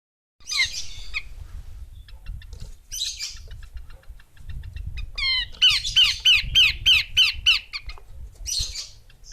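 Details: Female Horsfield's babbler calling: harsh, buzzy bursts, then a fast run of about ten sharp, downslurred chips repeated several times a second, ending with another rasping burst over a faint low rumble.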